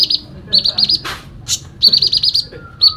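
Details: Fighting song of a sooty-headed bulbul: rapid runs of bright, high chirping notes in quick series, broken by a couple of harsh noisy bursts, ending with a short clear whistle.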